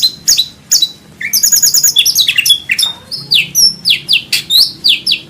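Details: Indonesian white-rumped shama (murai batu) training song, without coughing notes: sharp high chips, then a fast buzzy trill and a run of loud swept whistles, each note about half a second apart.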